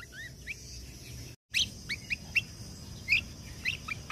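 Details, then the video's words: Lesser green leafbird (kecial kombok) song in the 'tembakan kunti' style, used for training contest birds: soft whistled slurs, a short silent gap, then varied chirps and twitters, roughly one per second. "Masteran Kecial Kombok Full Tembakan Kunti"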